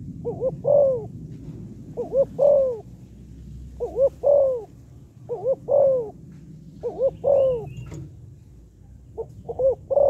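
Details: Female spotted dove calling to attract and stimulate males: evenly repeated low coo phrases, a quick double note then a sliding coo, over a steady low rumbling background hum.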